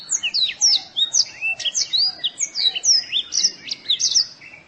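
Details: Masteran recording of white-eye song for training caged birds, a continuous run of high, quick, slurred twitters and chirps with varied rising and falling notes, steady throughout.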